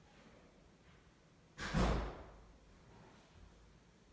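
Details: A single loud thud, like a door or drawer slamming, breaks a quiet indoor hush, with no bird or other animal voice heard.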